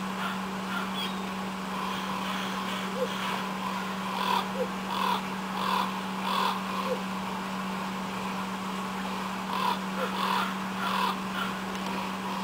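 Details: Black crows in pine trees outside a home on Afognak Island, Kodiak, Alaska, giving a long run of repeated hoarse caws in loose series, some distant, with a steady low hum throughout.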